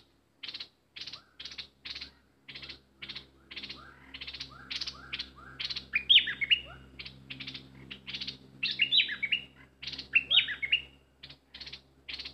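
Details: Bulbul used as a decoy, worked up while wild birds stay away, repeats harsh buzzy chatter bursts at a steady pace, mixing in rising whistled slurs and several bright squeaky warbles.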